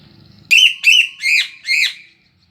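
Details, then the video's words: Loud singing from a Sule bird, used as a training recording: four strong, harsh whistled notes, each rising then falling, delivered about every third of a second after a quiet start. "Burung Sule bagus buat masteran suara keras/gacor"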